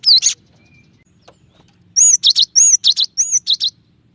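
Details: Varied song of a Cinereous tit, mixing high arched whistles with buzzy rasping notes in alternating pairs, repeated about four times in quick succession after an opening chirp.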